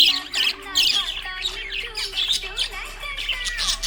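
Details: Budgerigar chirping happily, dense run of rapid squeaky warbles and short buzzy tweets with hardly a pause, over a low sustained musical drone.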